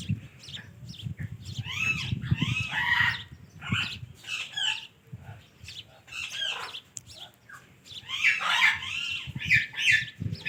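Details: Ringneck parakeet chattering in rapid arched, voice-like syllables, bursts of mimicked speech broken by brief pauses, with low rumbling noise underneath.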